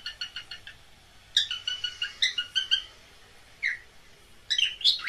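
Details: Pet cockatiels during mating calls, a quieter stretch of rapid buzzy chirp series with scattered upslurred whistles and some background hiss.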